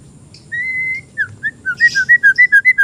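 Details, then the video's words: Untrained oriental magpie-robin giving lure and tutoring song. It opens with a long, level whistle, then moves into a steady series of short, clear whistled notes that alternate up and down, about five per second. "MASTERAN ATAU PANCINGAN BURUNG MURAY BAHAN"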